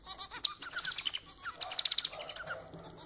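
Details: Pet society finch, known as manon, singing close and loud: a quick varied mix of buzzy nasal notes, short whistles and a rapid rattling series of pulses, all in about three seconds.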